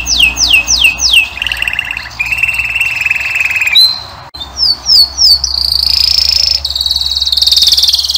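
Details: A male singing canary gives a fast, varied song: three quick falling whistles, then steady buzzy trills and sharp rising notes, ending in high rapid rolling trills.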